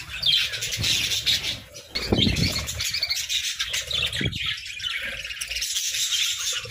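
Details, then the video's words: Many budgerigars keep up busy, high chattering and twittering chirps, with a burst of fluttering wing noise and soft low knocks partway through. "Joyful Parakeets🐦🦜: Daily Chirping, Songs, and Fun!"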